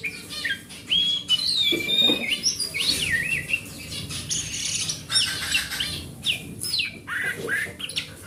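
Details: Wild-type oriental magpie-robin song, used as a lure for a kacer that has stopped singing: a rich medley of clear whistled slurs, trills and scratchy notes, with a constant low rumble underneath.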